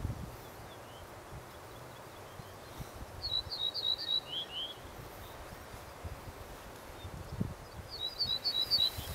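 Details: Male Ortolan bunting singing in mid-Sweden: a quick run of high, clipped notes dropping to two lower drawn-out notes, repeated after a pause, over a steady rustle of wind.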